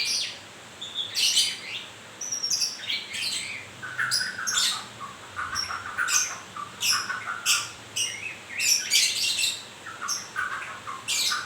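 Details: White-rumped shama in moult delivering a dense, busy song of harsh buzzy bursts mixed with short high whistles, nearly continuous over the whole stretch.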